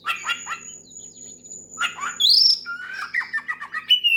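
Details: Oriental magpie-robin singing to lure a rival and spur others on; raspy bursts, a long thin high whistle, then a bright upslurred note and a rapid series of whistled phrases.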